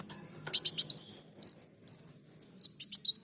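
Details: Olive-backed sunbird singing briskly for a cage-bird tutor recording: dry clicking notes, then quick alternating high whistles, each slurred down, about three per second, with faint low background hum.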